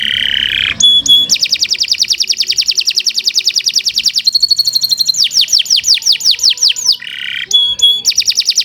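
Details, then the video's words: Kenari Nusantara canary delivering a long continuous song used as master song for training: a low nasal note, then a sustained rapid high trill, a pure whistle, and a series of quick downslurred notes with bright chips. "Kicau Burung Kenari 142 II LUAR BIASA GACOR PANJANG Cocok untuk Masteran"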